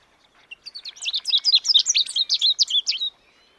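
An American goldfinch sings a fast, bright jumble of twittering, sweet notes and short buzzy slurs, high-pitched and run together for about two and a half seconds.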